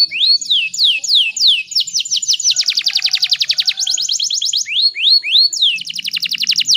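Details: Female canary in heat, singing to stimulate males and get other canaries singing: high descending slurs lead into a long, fast rattling trill, then rising whistled notes and another rapid trill.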